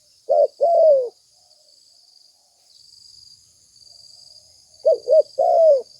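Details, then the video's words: Spotted dove lure call, two phrases spaced far apart. Clipped opening notes give way to a drawn-out descending coo, while a high, even insect buzz continues. "Suara tekukur pikat mp3 gacor"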